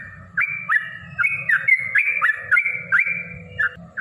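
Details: A yellow-vented bulbul's long 'ropel' song for luring and provoking rivals: chirpy stepped whistles in quick phrases, repeated steadily, a soft low rumbling noise throughout.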